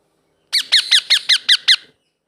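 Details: A baby blue ringneck parrot, kept as a pet, gives seven harsh, high, down-slurred squawks in quick succession, about five per second, in a quiet room.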